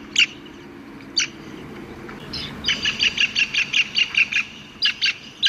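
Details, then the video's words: Black-capped Kingfisher (Halcyon pileata) at Mai Po Inner Deep Bay Ramsar Site wetland, Hong Kong: loud, harsh, high notes, two single calls, then a rapid cackling run of about a dozen notes and a final few. "藍翡翠 Black-capped Kingfisher Halcyon pileata"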